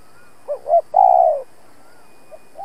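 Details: Decoy spotted dove cooing hard to provoke rivals while set out for trapping: two quick swelling notes followed by one long, loud, descending coo, then quiet.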